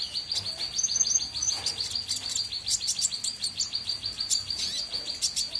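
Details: Small bird singing actively, giving a long run of rapid, thin, high-pitched chirps repeated about three times a second, with occasional brighter, higher notes above the steady series, over a faint low background hum.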